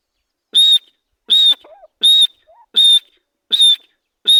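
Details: Grey francolin (dhakni teetar) giving loud, shrill, high whistled notes in a steady series, one roughly every three-quarters of a second, with brief lower squeaky sounds between some notes.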